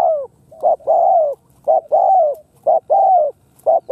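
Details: Khmer spotted dove cooing almost without pause. Short rounded notes alternate with longer mellow coos that sag in pitch, about one phrase per second.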